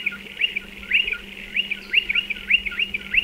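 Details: Striated pardalotes at their nesting burrows dug into a dry stone wall: rapid, high chirping notes, each a quick upswept-then-falling chip, run together about five or six per second, over a steady faint low hum.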